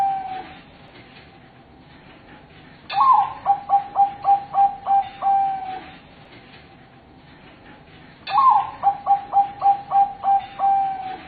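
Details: Bangkok-type zebra dove cooing: two phrases about five seconds apart, each opening with a bright rising note, then a stutter of six or seven short quick coos ending in a longer drawn-out tone.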